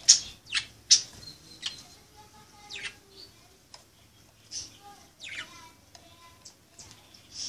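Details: Playing budgerigars call with rapid sharp chirps and falling squeaks, dense at first then more scattered, mixed with soft warbled notes.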